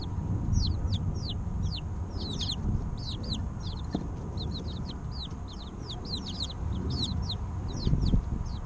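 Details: A group of three-week-old chicks cheeping nonstop: many short, bright, falling peeps in clusters, loud and continuous above a heavy low background hum.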